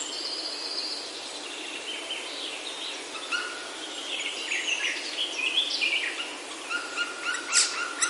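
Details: Wild birds in Himalayan oak woodland in Himachal, India: scattered high whistles and chirps, some drawn out and falling, over a steady hiss of forest ambience, growing busier toward the end.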